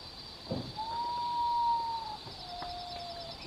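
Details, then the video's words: Common potoo in an urban setting, one long steady whistled note held for over a second, then a lower, quieter drawn-out whistle; a steady high hum runs throughout. "Urutau (Nyctibius griseus)"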